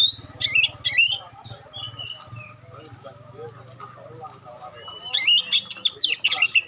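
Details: Oriental magpie-robin with sharp, clear provoking notes; brief whistled phrases at the start, a quieter stretch with low hum and soft background calls, then a loud burst of rapid sharp notes at the end.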